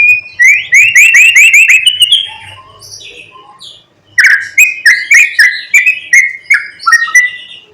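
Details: Singing white-rumped shama in the morning, played to provoke other shamas: a rapid series of repeated rising whistles, then evenly spaced bright two-note phrases about three per second, with faint low hum behind.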